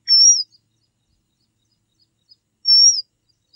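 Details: Red avadavat giving two thin, high, level whistles that slur downward at the end, about two and a half seconds apart, with a few faint ticks between them in otherwise quiet surroundings.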